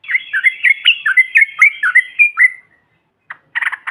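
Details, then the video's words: Group of yellow-vented bulbuls in trucukan style, used to provoke other birds: a steady series of short, downslurred chirps about four per second, then silence and a few harsh, rasping bursts. "TRUCUKAN BAHAN ATAU Ombyokan, Paut BISU Seketika BUNYI NGAMUK Mendengar SUARA INI"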